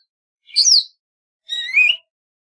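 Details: Golden-fronted leafbird: a bright falling whistle followed after a pause by a scratchy, rising, warbled phrase, with silence between.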